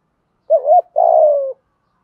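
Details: Spotted dove lure call meant to stir other doves into cooing: one brief wavering coo followed by a longer, rougher falling note, nothing else audible.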